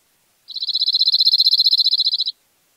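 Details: Cirl bunting singing in May 2021 near İzmir, Turkey: a dry, rapid rattling trill of about two dozen identical notes on one high pitch, lasting nearly two seconds, clean with no other sounds.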